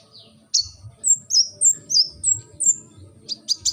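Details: Thin, very high, downslurred notes from a brown-throated sunbird (kolibri ninja) in 'gacor' song, given about four per second in a short series, followed by a few sharper clicks; low murmur in the background.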